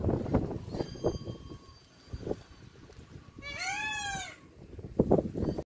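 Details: Indian peafowl, filmed around flight, gives one loud, arched, nasal wail lasting about a second, rich in stacked harmonics, rising then falling, between clattering and rustling noises before and after.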